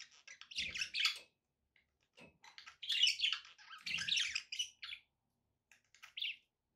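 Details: Pet budgerigars in a room give fast, scratchy, high chatter and squeaky chirps in a few bursts, with short quiet gaps and soft knocks.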